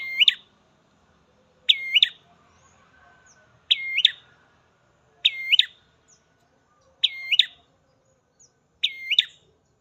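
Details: Ashy prinia (prenjak merah) recorded in a garden, six loud, clipped phrases of sharp notes with a falling then rising sweep, repeated roughly every one and a half to two seconds with silence between.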